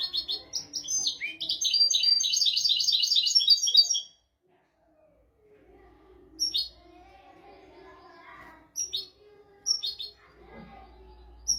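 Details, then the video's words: European goldfinch royal tutor song for training goldfinches and canaries: four seconds of fast, rich twittering trills and tinkling notes, then a silent break, followed by scattered short high chirps and sharp whistles. "تغريد طائر الحسون ملكي حفاضة لتعليم طيور الحسون والكناري بدون أخطاء"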